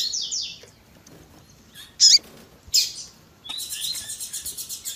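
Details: Tui tui zel zel song of a Double-collared seedeater with female calling: falling whistles, two sharp loud chirps, then a steady rapid trill to the end.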